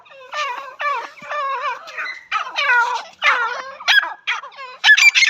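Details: A teetar partridge gives loud, harsh, squeaky notes in quick succession, about two each second, with strained rising-and-falling inflections and no other sounds.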